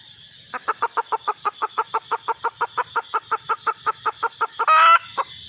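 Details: Hen red junglefowl seeking a mate, giving a steady run of some twenty rapid clucks at an even beat, then a short loud harsh burst near the end before quiet.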